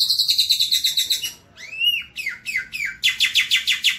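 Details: Black-winged myna (jalak putih) sings nonstop: a fast, harsh chatter, then three arched, slurred whistles, then more rapid chattering, all high-pitched with no other sounds.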